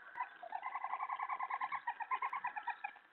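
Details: Owl calling at 3:10 AM on 31 July 2017, during the twelfth of sixteen nightly food deliveries as a mouse is brought to the nest; a rapid, rhythmic series of short harmonic notes, about eight per second, steady for three seconds.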